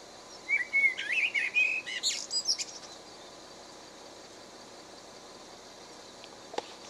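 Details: Blackbird singing one short phrase: a couple of low fluted whistles followed by a rapid, squeaky high twitter, then several seconds of quiet background hiss with a faint distant click.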